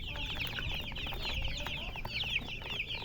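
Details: Chickens (murgi) chirping: a dense stream of high, rapid peeps overlapping from several birds, with a low background rumble throughout.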